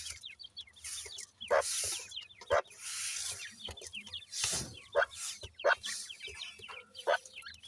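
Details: Young grey partridge chicks of the new season with attentive parents, uttering rapid high peeps interspersed with several louder, sharper call bursts at irregular intervals.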